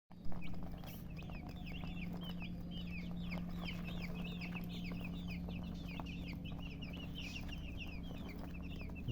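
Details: Baby chickens peeping continuously, many short rising-falling cheeps overlapping in a dense chorus, with a steady low hum throughout.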